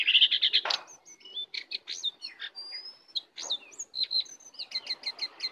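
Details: Wild Oriental magpie-robin moving in to attack opens with a buzzy trill, then gives scattered clear whistles and ends with evenly spaced sharp high chirps.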